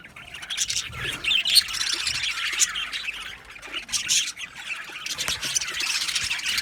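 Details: Budgerigar colony in an aviary, overlapping chirps, warbles and squawks rising and falling in loudness, continuous bright chatter with brief quieter dips.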